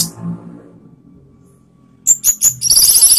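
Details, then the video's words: After a quiet low hum, an Orange-headed thrush bursts into lure song meant to rile rivals: three quick high slurred whistles, then a fast run of sharp, tumbling notes. "ANIS MERAH LAWAN ¦ PANCINGAN penuh TEMBAKAN ¦ KICAUAN Ngeplong"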